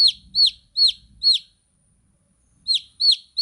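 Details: Four shrill, descending chick peeps in quick succession, a second of silence, then three more of the same high, sliding notes from baby chickens.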